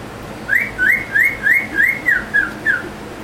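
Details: A pet cockatiel, possibly put in a good mood by white paper towels, on a hot 90-degree day, gives a fast series of clear, rising whistled notes, about three each second.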